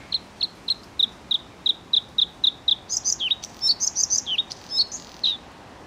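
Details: Bluethroat song opening with a run of evenly spaced short high notes, then breaking into a rapid, varied jumble of twangy, rising and falling phrases at higher pitch.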